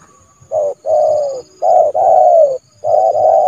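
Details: Trained decoy spotted dove in January, calling to lure a rival bird into the yard for trapping: three loud, hollow, mid-pitched cooing notes, the second and third drawn out and falling slightly, separated by short pauses.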